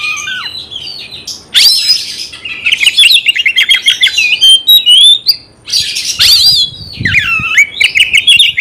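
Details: Caged Oriental magpie-robin singing to provoke fighting: starts with soft whistles, then loud harsh rasps, rapid warbling and swooping whistled notes in a dense, vigorous flow.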